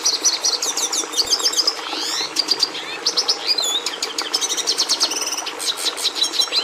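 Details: Red siskin in full song, a busy high-pitched mix of rapid trills, rising and falling whistles and harsh buzzy rattles, delivered almost without a break.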